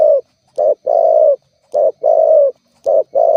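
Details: Spotted dove calling, used as a lure to provoke rivals and make other doves call back; low rhythmic cooing, a short coo followed by a longer drawn-out one, repeated about every second and a quarter.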